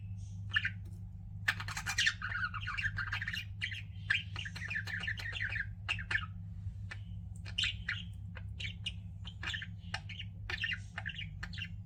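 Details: Pet budgies in a long run of chattering warble, quick tweets and squeaky notes tumbling together, then choppier chirps, all over a steady low hum.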